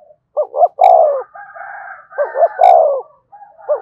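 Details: Decoy spotted dove cooing to stimulate newly captured birds. Two phrases of twin rising hoots and a rich falling coo are heard, with a steadier higher whistled tone running between them and brief clicks.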